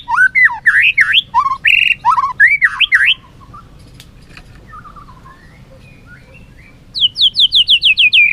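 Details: White-rumped shama in competitive song with tail flicking: loud zigzagging whistled phrases with harsh overtones, a quieter pause with soft notes, then a fast series of about nine descending whistled notes.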